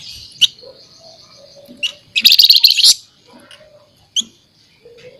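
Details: Scaly-breasted munia chattering steadily, with a loud, dense, high buzzy burst of rapid notes lasting under a second, framed by isolated sharp ticks and soft lower notes.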